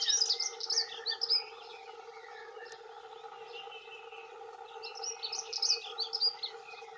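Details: Two male dunnocks giving territorial song: a fast, high jumbled warble near the start and another around five seconds, with a quieter gap between, over steady low humming bands of background noise.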